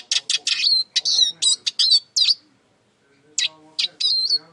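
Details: Eurasian siskin giving bursts of high chirps and twittered notes, a brief pause, then more sharp chips and a short whistled phrase.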